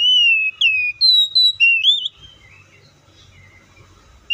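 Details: Oriental magpie-robin song with a long falling whistle, quick downslurs and a wavy rising ending. Softer notes and low background hum follow, with a final whistle at the close.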